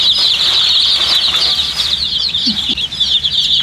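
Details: Dyed baby chicks chirping for water: an intense, continuous chorus of high, thin peeps from many birds, with a couple of faint low sounds near the end.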